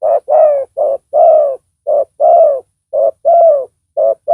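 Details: Spotted dove acting as a decoy with a big voice to lure a rival. Repeated husky coos alternate short and drawn-out notes, the long ones gently descending, in a regular rhythm.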